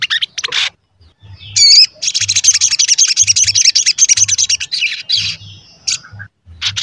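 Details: Persistent sogon song used as bait for wild sogon and to make others call: opening high bursts, a squeaky rising whistle, then a long even stream of fast buzzy chatter, ending in scattered short notes.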